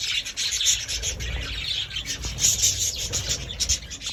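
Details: Caged budgerigar chatter: busy high-pitched twittering with scratchy notes and brief sharp squeaks, unbroken throughout, over a low rumbling background.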